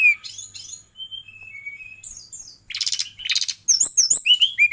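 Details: Brown-chested jungle flycatcher, Bali bird, singing a mixed phrase: level whistled notes falling in steps, then dense buzzy bursts followed by fast, high, looping chirps.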